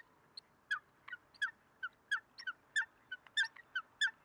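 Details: Eurasian coot (Fulica atra) recorded in Greece, February 2023: a lively sequence of short, sharp nasal notes, loud and soft mixed, running steadily about every third of a second.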